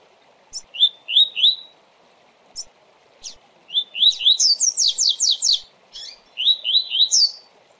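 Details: Fast Tui Tui song of a coleiro, meant for training, management and pairing. Short rising whistles in threes lead into a long run of rapid descending high notes, with brief sharp chips between phrases and a soft constant hiss behind.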